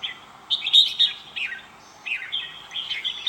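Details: A red-whiskered bulbul delivers a lively, continuous chatter of quick, slurred, whistled notes that rise and fall in tight bursts, with little pause between phrases.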